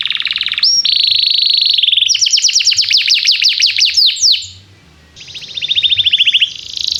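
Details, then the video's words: Lively canary song played so young canaries can learn: a buzzy trill, a pure held whistle, then a rapid series of downslurred chips, a brief gap, and a fast rattling trill. "Kenari gAcorr cuit cuit emosi, Pancingan untuk kenari Paud belajar bunyi"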